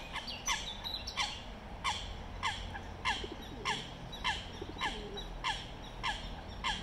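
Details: Eurasian coots in London, UK, during a territorial fight between families; sharp, short descending calls repeated about every half second to second, fairly regular, over a low steady background rumble.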